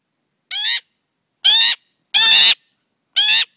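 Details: A young magpie fledgling that crawls over people when ignored gives four loud, harsh, grating squawks, the third longest and roughest, spaced under a second apart.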